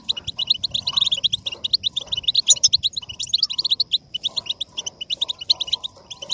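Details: European goldfinch song for motivating singing: lively, unbroken twittering of quick high chirps and tinkling trills, occasional buzzy notes, faint lower chirps underneath.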